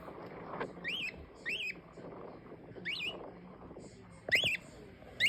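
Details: Green-winged king parrot giving a few spaced, rising-then-falling whistled squawks over a steady background hum with low murmuring.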